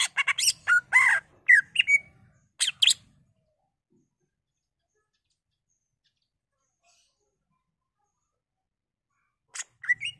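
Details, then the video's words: Greater green leafbird song used as a lure to stimulate other leafbirds to sing: bursts of rich, varied chirps and slurred whistles for about three seconds, a long silence, then a brief rising phrase near the end. "Pancingan Cucak Ijo Merangsang Cucak ijo lain"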